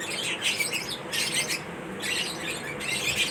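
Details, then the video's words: Lovebirds kept as pets during their daily routine, giving clustered bursts of high, harsh chirps about once a second with short quieter gaps between the bursts. "lovebirds Chirping sound"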